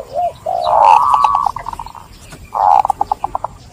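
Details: Caged zebra dove cooing used to stimulate stressed birds: a brief coo, a long buzzy held tone, then a second held note breaking into a quick series of short pulsed notes.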